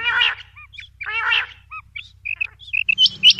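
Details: Calls of a female common quail: two harsh, rasping bursts alternate with short clear whistled notes, then higher sharp chips at the end over a low steady hum.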